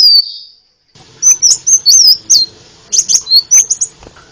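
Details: High, thin sunbird (kolibri ninja) song used as masteran training material for songbirds: one long falling whistle, a pause, then a chattering run of twisting high notes over a low background rumble.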